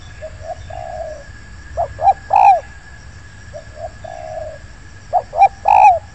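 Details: Spotted doves cooing in an oil palm plantation during bird luring. Soft distant two-note coos answer louder close phrases of two short notes and a drawn-out falling coo.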